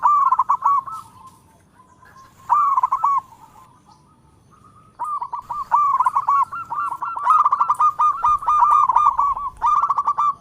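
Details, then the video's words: Local zebra dove, a lively singer calling in all directions: bursts of rapid stuttering coos, then a long run of quick, regular cooing notes in the second half. "Perkutut Lokal gacor suara merdu memanggil Keseluruh Arah"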